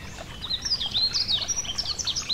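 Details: Yellow-throated bunting singing beside a gentle stream, giving bright, high-pitched chirps and short slurred whistles in quick succession for about two seconds, with a soft background of running water.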